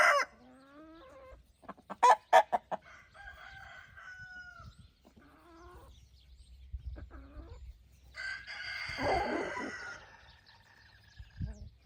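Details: Evening crowing by roosters guarding hens as the flock scratches in golden light: several harmonic crows with falling endings, one at the start, one mid-way and a louder one later, mixed with sharp clucks and brief pecking sounds.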